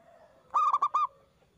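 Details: Strong-voiced local zebra dove singing to trigger replies from other doves, one brisk phrase of four mellow staccato cooing notes over a faint background hum.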